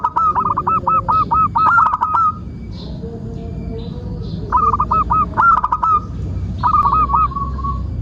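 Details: Zebra dove, local type and an eager singer, used to prompt other doves to sing and for trapping. It gives rolling series of hooked coos in three bursts, with a quieter steady tone in the gaps.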